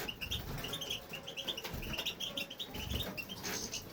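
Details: Male European goldfinch singing in a home aviary: a continuous, rapid twittering of short, bright, high notes, with no pauses over four seconds, over a low background rumble.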